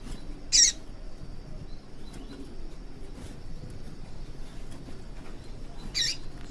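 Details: Two loud, short, high chips from a female yellow-bellied seedeater, about five seconds apart, with quiet hiss between. The call is used to prompt males to sing.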